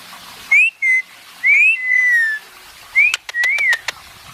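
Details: Pet Indian ringneck parakeet basking and talking: three bursts of clear whistled notes that slide upward and then hold level. A few sharp clicks snap near the end.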